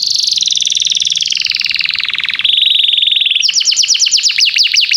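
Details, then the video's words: Canary song as a lure for young canaries: a long descending rattled trill, a flat steady trill, then quick repeated rising whistle notes at a brisk pace. "Kenari gAcorr cuit cuit emosi, Pancingan untuk kenari Paud belajar bunyi"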